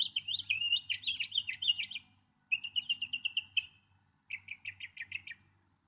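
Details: Northern mockingbird song with a tumbling run of varied whistled notes, then two series of rapidly repeated identical chirps separated by brief silences.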